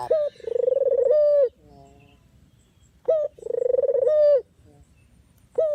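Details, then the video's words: Trapping lure of a dove calling: two well-spaced coos three seconds apart, each a throaty trembling roll flattening into a smooth tone and then a falling end, with near silence between. "suara asli burung puter/deruk buat isian,pikat dan pancingan"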